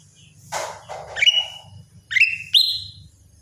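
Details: Morning singing of a lesser green leafbird: rough scratchy bursts first, then three bright upslurred whistles trailing into held notes, low hum behind.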